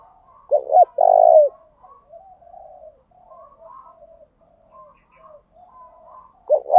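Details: Decoy spotted dove singing to provoke and lure wild doves: one clear phrase of two brief notes and a long hoarse coo, faint soft cooing in between, and a new phrase starting at the end.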